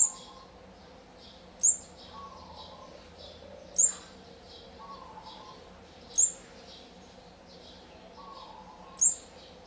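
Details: Olive-backed sunbird nest with young being fed, fourth brood, day 14, 4 March 2020: piercing high chirps spaced about two seconds apart, faint buzzy twitters between them, and a low background hum.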